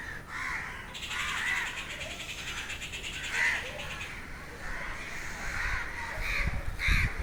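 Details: Harsh, repeated crow caws in an agitated chorus at noon, with higher squawks from other restless birds (mynas, bats, an eagle also crying, reason unknown) mixed in over a steady outdoor rumble; crow.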